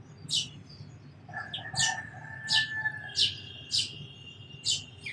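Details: Sparrow giving sharp, high chirps roughly every half second over a steady, thin whistled tone from another bird.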